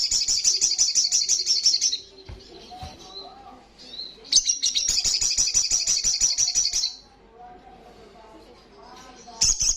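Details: Loud, fast 'gacor' singing from an Olive-backed Sunbird: two long trills of piercing high notes repeated many times a second, each about three seconds, with quiet gaps of faint low hum.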